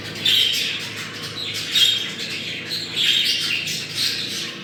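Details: Budgerigar breeding-stimulation sound: bursts of raspy squawks and thin whistled notes arriving in loose waves, with faint low hum beneath.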